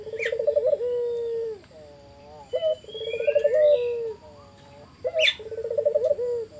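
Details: Energetic collared dove song meant to make other doves respond: repeated phrases of a clipped note, fast rippling coo and a held low tone, with quieter echoing coos between and brief high chirps from other birds.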